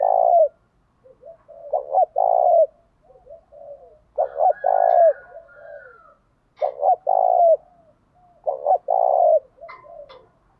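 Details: Spotted dove cooing to provoke other doves into fighting: low, soft hooting phrases of two or three throaty coos, repeated about every two and a half seconds, with faint murmuring between phrases in a quiet setting.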